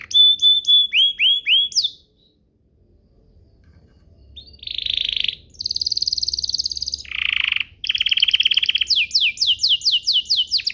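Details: Canary song played to make other canaries start singing: high repeated upswept notes, a short silence, then a buzzy trill, a dense rapid rattle, a lower churring roll and a run of falling chirps.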